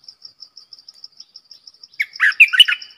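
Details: Streak-eared bulbul kept as a decoy bird to lure wild birds and train young birds, giving a short burst of bubbly, warbled notes after two seconds of steady high cricket-like pulses.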